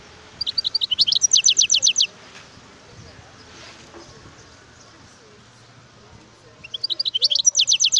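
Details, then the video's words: Song of a wild European goldfinch: two energetic bursts of rapidly repeated, high, descending chirps forming ringing trills about a second and a half long. A quiet stretch between them carries only soft background noise. "اسمع صوت الحسون البري"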